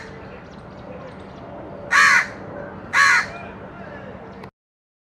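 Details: Two loud, rasping caws about a second apart from a crow eating baigun chop, a fried eggplant snack, with a steady low hum beneath and faint background noise before the sound cuts off.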